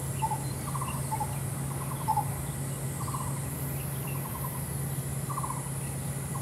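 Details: Lesser coucal female seen from a window on 26 June 2023, flicking its tail up, giving repeated brief stuttering trills of fast pulses about once a second, with a steady low mechanical hum behind.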